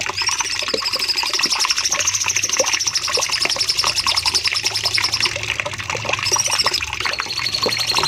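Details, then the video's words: Cucak cungkok bulbul on a training recording for caged birds, singing long bursts: a fast, continuous high trill of tightly repeated notes that briefly breaks and restarts near the end, over quieter lower twitters. "Masteran Cucak Cungkok nembak panjang"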